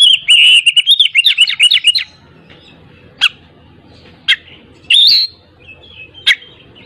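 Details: Oriental magpie-robin singing to stir a lazy bird into song: a fast rippling series of loud whistled notes for two seconds, then scattered sharp clicks and a short harsh burst.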